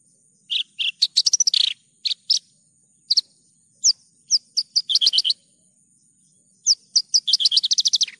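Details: Actively singing Javan bush lark in a clear lure and training recording: fast sequences of sharp, high chirped notes, some single, some in rapid trilled runs, with short pauses between, over a constant faint high-pitched hum.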